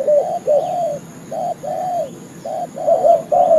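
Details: Spotted dove lure call used to trap birds, broken coos of varying length, some drawn out and arching, others clipped, in irregular bursts with pauses between them.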